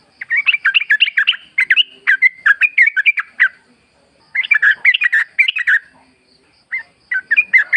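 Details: Wild forest Yellow-vented Bulbul, lure recording meant to spur kept birds into answering: clustered bubbly, slurred chattering phrases in two long bursts separated by a short silence, then a few scattered notes.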